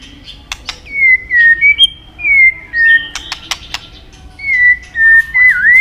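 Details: Medan-type white-rumped shama singing a lure song full of fill-in phrases: clear drawn-out whistles that slide down, spaced by pauses, with scattered sharp clicks.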